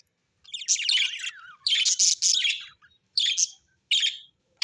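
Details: Happy parakeet chatter: long, scratchy warbling phrases with a slurred falling note, followed by two shorter buzzy bursts, high-pitched throughout with no other sounds.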